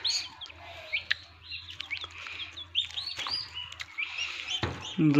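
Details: Newly hatching turkey chicks inside an incubator machine on a turkey farm in Assam, many overlapping high arched peeps over a steady low machine hum, ending with a loud thump and rattle.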